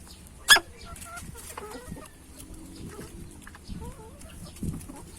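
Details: Hen choking from eating too fast: a single sudden, harsh hiccup-like burst early on, followed by soft low clucks and scratchy rustling.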